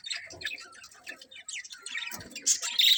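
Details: Colourful budgerigars in a colony chirping: dense overlapping high twittering and short squeaky notes, irregular and continuous, several birds calling at once.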